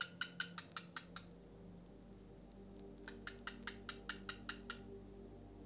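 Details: Fast keyboard typing in a small quiet room: two bursts of sharp clicks, the second coming after a pause of about two seconds, with a faint low hum beneath.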